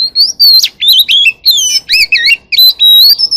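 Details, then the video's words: Oriental magpie-robin with a forest-type voice, singing to call the flock: loud, varied whistled phrases that rise and fall, broken by short gaps and sharp trills, in a quiet setting. "Chòe than hót giọng rừng"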